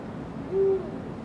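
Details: Eurasian eagle-owl recorded on 16 February 2023, giving a single short, deep, steady hoot of about a quarter second in the middle, over low background rumble.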